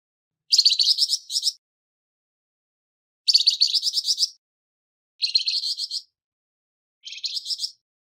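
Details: Flamboyan bird with a harsh voice, used as training material for songbirds: four rough, buzzy phrases of about a second each, made of rapid pulsed notes, separated by silent pauses of one to two seconds.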